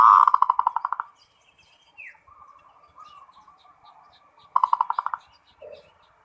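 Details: Zebra dove, local perkutut, singing in full ngerot style, meant to stir breeding urge: a loud burst of rapid pulsed coos for about a second, softer murmuring coos, then a second fast pulsed burst, with faint high chirps of other birds.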